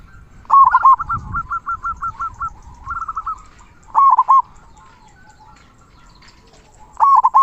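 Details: Local zebra dove singing a big "kung" song to prompt other doves to sing: an opening coo run into a fast rattle of short notes, a rolled phrase, then separate deep coo groups after a long pause.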